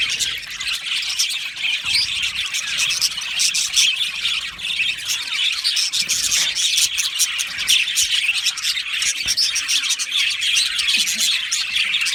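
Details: Australian budgerigar colony kept in an aviary, chirping and singing: steady dense chatter of high twittering notes with frequent sharp clicks and occasional harsher squawks throughout.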